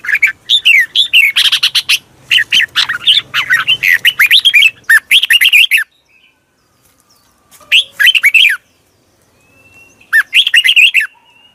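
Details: Red-whiskered bulbul sounds used for luring new birds or coaxing birds from a cage: fast bubbling whistled phrases with rising and falling notes, a long run then two short bursts separated by quiet gaps.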